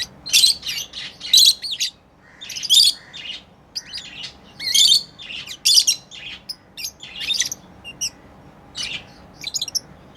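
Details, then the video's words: Pet lovebirds at play make loud, shrill, grating chirps in bursts about every second, some doubled, fading to softer squeaks toward the end. "Lovebirds playing & Chirping sounds"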